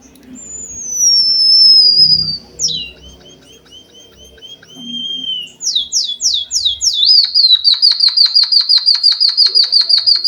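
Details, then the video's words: White-headed Munia song, used as a training lure for cage birds: a long, high, slowly falling whistle, a few short slurred notes, then quick downslurred chips running into a rapid, even, buzzy trill. "Suara burung pipit bondol haji emprit kaji gacor"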